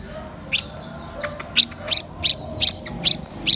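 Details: Red-whiskered bulbul of a mutant colour form, learning to eat cricket bellies, gives short, high, sharp chirps repeated roughly every 0.4 seconds, with a few softer slurred notes early on over low background rumble.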